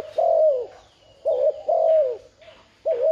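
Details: Cooing spotted dove, used to excite a decoy bird, delivers a long descending coo, then a brief double note and another falling coo, ending on the start of the next phrase.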